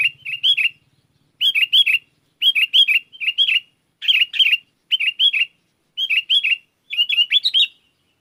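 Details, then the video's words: Persistently singing sooty-headed bulbul calling to wild bulbuls to provoke their answering song. Loud, chirpy whistled phrases of three to four liquid up-and-down notes, repeated steadily about once a second, with a brief low hum at the start. "suara burung kutilang gacor memanggil kutilang liar"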